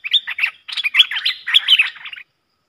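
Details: Streak-eared bulbul pair dueling in song, recorded 30 October 2021: two quick phrases of bubbling, slurred notes over about two seconds, then silence.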